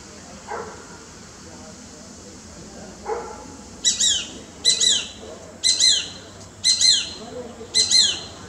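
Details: A Shikra calls one morning from a tree opposite a balcony: five sharp, high, slightly down-slurred double notes, about one per second, with two faint lower calls in the background beforehand.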